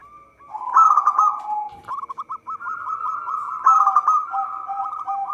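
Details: Lure recording of a local zebra dove singing persistently: two loud rolling trills separated by a quick string of clipped staccato coos, with continuous lower cooing underneath.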